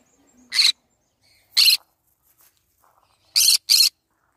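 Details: Green-cheeked conure uttering abrupt scratchy squawks: two single calls about a second apart, then a fast double shriek.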